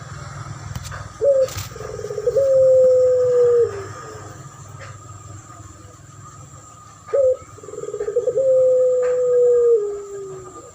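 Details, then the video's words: Spotted dove in a master lure duet with a puter pelung dove, champion-style voice used to attract birds: two phrases, each a short rolling burst of coos followed by a long, steady, gently falling drawn-out coo, with a steady background hum. "Duet masteran pancingan burung puter pelung.model suara juara dan Derkuku"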